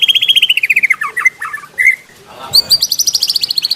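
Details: Varied, fast white-rumped shama song meant for tutoring songbirds: a long descending trill slides into lower broken whistles, followed after a short gap by a bright, rising rapid trill repeated many times.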